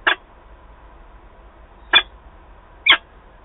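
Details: Peregrine falcons at a Wałbrzych nest box in Poland, 11 October 2022, as the male and female meet. Three sharp, grating notes come at uneven intervals of about one second, with little else audible.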